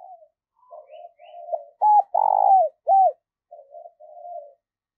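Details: Spotted dove decoy calling eagerly to attract wild doves. Quiet, low cooing leads into three loud, clear, arched notes, the middle one longest and throbbing, then softer coos close the sequence.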